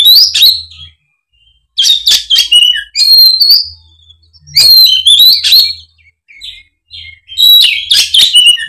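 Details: Oriental magpie-robin singing in fighting mode, a lure for reluctant magpie-robins: repeated bursts of bright whistles, trills and scratchy notes, roughly every three seconds, with brief silences.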